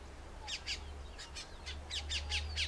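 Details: Colombian mountain grackle in oak forest of Colombia's Eastern Andes, near Bogota; paired rasping notes repeated in quick bursts, roughly four or five pairs in under three seconds, against constant low-frequency hum.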